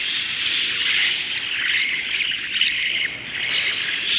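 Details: Seven budgerigar chicks inside a breeding nest box, recorded without music on day 38 of the nest: a dense, continuous chorus of high, scratchy chirps and squeaks with no pauses.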